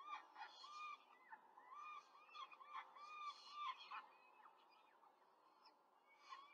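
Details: Rapid feeding at a peregrine falcon nest in Rome, 5 May 2023, an adult feeding four chicks: harsh, arched squealing calls come in quick bursts for about four seconds, then fade to quieter calls.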